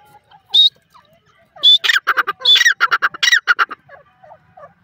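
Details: Grey francolin, locally called dakhni teetar, calling: a lone sharp high note, then a loud burst of harsh, ringing, rapidly repeated notes lasting under two seconds, followed by quiet, scattered soft chirps.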